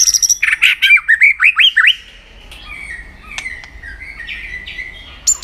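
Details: White-rumped shama contest-training song: a quick string of varied, bright slurred notes over about two seconds, followed by softer, fainter warbling and a few clicks.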